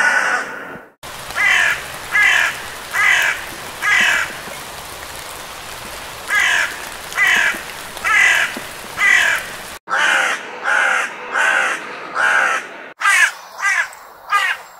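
A crow gives harsh, hoarse caws about one per second in several short runs, with a faint hiss behind.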